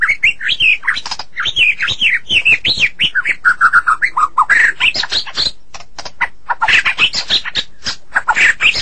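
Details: A Medan White-rumped shama sings a loud, nonstop stream of rich whistled phrases, mixed with sharp clicks and harsh chattering notes, changing pitch rapidly.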